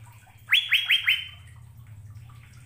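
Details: Asian fairy-bluebird training recording for caged birds: four quick upswept whistled notes in a short burst, then only a low steady hum.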